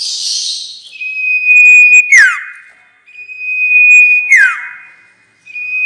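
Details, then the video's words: Sirtu trapping lure: a sustained pure high whistle broken by a sharp click and a swift descending slur, the pattern repeating twice at steady intervals after an opening hissy burst. "Pancingan suara pikat burung sirtu"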